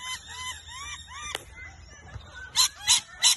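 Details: Rainbow lorikeets in a tree in Brisbane, Australia, seeking a nest hollow and fighting with two other parrot groups over territory: whistled, harmonic chatter notes, then three loud harsh screeches near the end.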